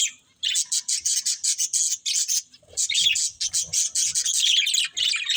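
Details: After a quiet start, budgerigars give rapid trains of sharp, high chirps in quick pulses, building into continuous scratchy warbling chatter.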